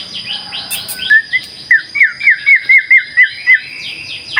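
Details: White-rumped shama singing energetically as a lure song. A series of clear whistled notes is repeated about four times a second at a steady pitch, over softer blurred warbling and a faint constant high tone.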